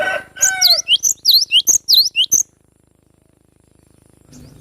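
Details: Young cinereous tit, known locally as glatik batu, singing in wild forest in the rapid 'besetan' style: a quick run of high V-shaped chipping notes, after a lower harmonic buzzy call at the start, then silence.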